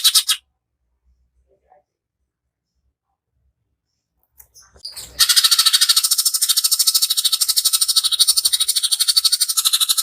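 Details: Greater green leafbird lure song in the rough 'tembakan' style: after a short burst and several seconds of quiet, a dense, scratchy rattle of fast repeated pulses starts and carries on to the end.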